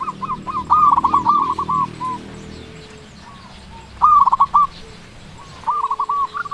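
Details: Loud-voiced local perkutut, a zebra dove, used as a lure for quiet doves: short bursts of quick, rolling coos separated by long pauses, with a low rumbling hum and a faint steady tone in the background.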